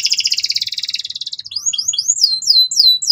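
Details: Canary singing hard and loudly so young birds learn the ngeriwik sound: a fast buzzing high trill for about a second and a half, then a run of repeated downward-sweeping whistled notes.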